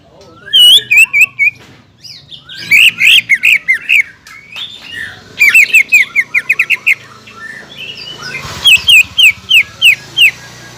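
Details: A spirited greater green leafbird singing to provoke a rival leafbird, giving bursts of loud, sharp repeated notes in quick series, separated by short pauses and softer warbled phrases.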